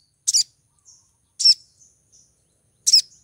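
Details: A female little spiderhunter in heat calls to a male: three strong high buzzy double chips roughly a second apart, each followed by soft fading high notes.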